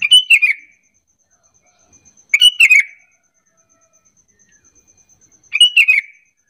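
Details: Sooty-headed bulbul lure call, meant to prompt other bulbuls to answer and sing vigorously back and forth; three bright, bubbly chattering phrases about every two and a half seconds, over a faint steady high-pitched whine.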